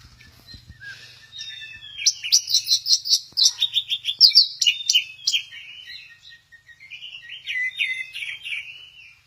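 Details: Orange-headed thrush singing at Kesamben in 'goyang inul' style: after a quiet, faintly humming opening, loud rich phrases of rapid varied chirps and trills build up, then softer rambling warbles follow.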